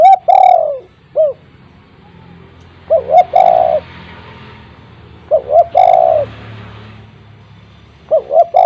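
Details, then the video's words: Loud-voiced spotted dove kept as a lure bird, giving repeated phrases of two or three quick hoots ending in a long falling coo, with a separate short coo after some phrases. "tekukur gacor suara besar untuk pancingan tekukur bahan"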